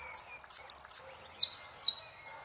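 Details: Saffron finch in El peregrino song style: buzzy descending high notes mixed with a quick stutter of clipped pips, then two spaced down-slurred buzzy phrases.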